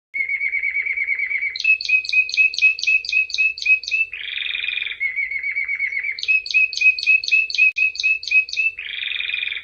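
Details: Canary singing: a steady mid-pitched trill, then a run of bright repeated two-part notes at about four per second, a buzzy rolling burst, and the same sequence repeated, clean and loud.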